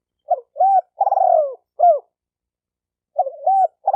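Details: Spotted dove cooing to stimulate males and females; a phrase of hoots and a vibrating downward coo ending in a sharp hoot, then after a silent gap the next phrase begins.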